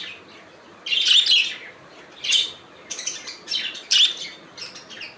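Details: Budgies chattering with quick, buzzy chirps and warbling notes arriving in separate bursts about a second apart.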